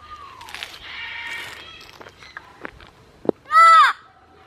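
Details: After soft rustling, clicks and a low whistle, a sanctuary parrot beside a wooden parrot mailbox gives one loud harsh screeching yell lasting under half a second.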